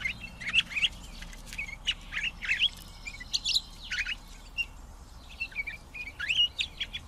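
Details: Pine grosbeak song: a lively run of short slurred whistles and sharp chirps, some notes rising and falling, delivered in quick bursts over about seven seconds with brief pauses.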